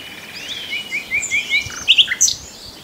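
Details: Common nightingale song: a series of rising whistled slurs repeated about five times, followed by loud sharp chirping notes and a high squeak.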